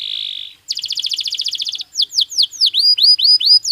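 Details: Belgian canary singing naturally, played to stimulate and train other canaries: a steady high buzzy note, then a fast even rattling trill, then a run of quick downward-curving whistled notes repeated about twice a second.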